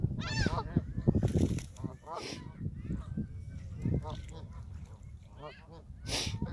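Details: Canada geese at Hawreluk Park lake honk in overlapping bursts, several calls a second, with nasal, rising-falling notes over a steady low rumble and possibly faint voices.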